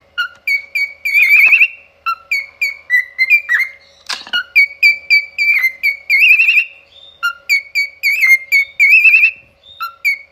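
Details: Pet cockatiel singing in what is called an opera style: bright whistled notes, some warbled and trilled, in short repeated phrases with brief pauses, one sharp knock midway, over a faint steady hum.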